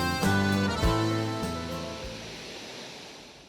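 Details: A few sustained piano-like chords ring out and fade, with a soft background hiss and no animal sound.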